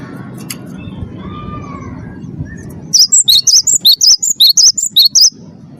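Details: A champion Cinereous tit sings to lure caged birds into song: soft background whistles give way to a bright, rapid series of around eleven two-pitched whistled notes, with steady low rumble underneath.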